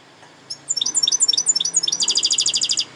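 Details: A European goldfinch sings chirpy, jingling notes that speed into a fast, even, buzzy trill of repeated high pulses.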